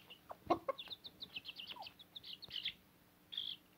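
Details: Young backyard chicks almost grown, kept with a Cochin mother hen on fodder, give quick, high, downslurred peeps in a rapid series, with a couple of lower clucking notes near the start and a brief burst at the end.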